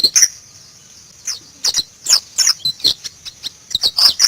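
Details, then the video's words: White-eye (Zosterops), a wild bird singing in the forest, gives high chirps and twittering notes in short bursts and spaced phrases, with pauses between. "BURUNG PLECI NGALAS"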